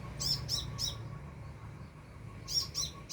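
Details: A sunbird about two and a half to three meters overhead gives two sets of three bright, high-pitched chirps separated by a short pause, over a low rumbling background.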